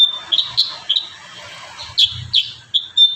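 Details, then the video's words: Kurincang in full lively song for training other birds: a few bright, high chirps and short trills in small clusters, separated by brief pauses, with faint low background rumble. "Masteran terbaru burung kurincang gacor isian"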